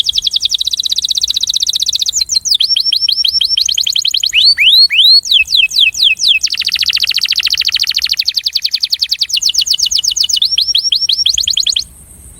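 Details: Attraction song of a breeding male canary: long stretches of fast repeated chirping trills, broken by swooping downslurred whistles, varied in speed and pitch for about twelve seconds before stopping.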